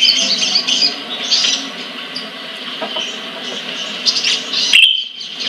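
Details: ['Collection sunbird from Central Java, Indonesia, twittering in high, thin, fast notes at a steady moderate level, ending with a sharp bright chirp.']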